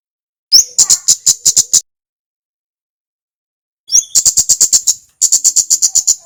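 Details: Two long bursts of brisk, evenly spaced high ticks from a male red Javanese flowerpecker, each starting with a short rising note, separated by two seconds of silence. The recording is used to train other birds.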